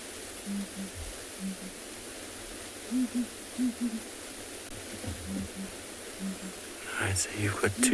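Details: A male and female southern ground hornbill duet from the bush at sunrise on 22 April in Tswalu Kalahari Reserve, South Africa, in deep, booming paired notes. The female calls first and higher, and the male answers lower.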